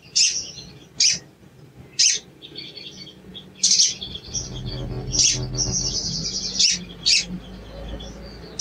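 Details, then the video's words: A sooty-headed bulbul lure call made to provoke a quiet bird: piercing chips about once a second, with a continuous high chattering trill in between and a low hum beneath. "CUIT CUIT PANCINGAN EMOSI SOGON MACET BUNYI DAN KURANG GACOR"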